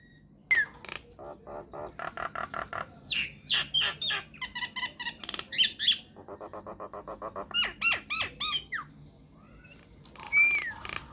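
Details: Myna lure recording to make other mynas respond, mixing rapid chattering series, harsh squawks and high whistled flourishes in varied, repeated phrases.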